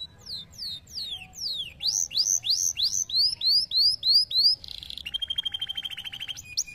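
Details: Canary repeating downward-sweeping whistles, then loud rising-falling arcs given about twice a second, a short harsh buzz, and a long, even, rapidly pulsed trill ending in a high chip.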